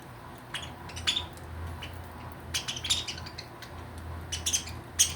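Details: Pet budgerigar excited over a millet spray treat, giving short, sharp, high chirps in scattered bursts, clustered around the first, third and fifth seconds, over a steady low electrical hum.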